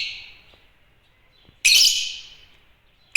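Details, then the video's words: An Agapornis lovebird gives one loud, rasping, high chirp that trails off slowly, following the fading end of an earlier call, with the start of another chirp at the very end. "Agapornis lovebirds chirping sound"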